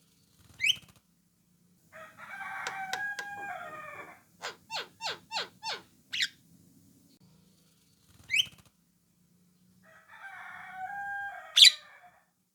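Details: Orange-eyed Javan myna calling as a lure so other mynas reply. A rising whistle is followed by buzzy chatter and a row of clicking harsh notes. The same whistle and chatter then repeat, capped by a loud sharp note.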